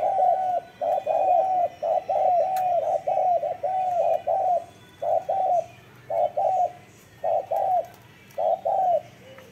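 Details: Spotted dove in strong cooing: a long series of soft, low coos, first close together, then spaced into pairs about a second apart, with a faint room murmur behind.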